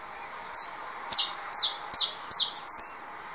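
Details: Russo saffron finch just out of moult, answering a rival's song: six sharp, high, down-slurred chirps delivered evenly about every 0.4 seconds over a faint steady background hiss.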